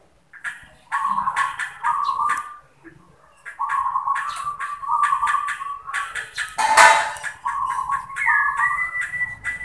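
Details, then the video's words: Local zebra dove (perkutut) singing in answering exchanges: a run of rolling mid-pitched coos in phrases, interrupted by clicks and a sharp knock, ending with a higher steady note. "Zebra Dove | Perkutut manggung"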